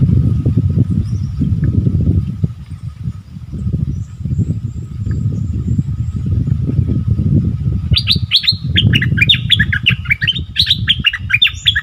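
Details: Wild striated bulbuls arguing fiercely: after a long stretch of only low traffic rumble, a dense, rapid run of clear chirping and whistled notes bursts out and continues to the end, with faint thin whistles earlier.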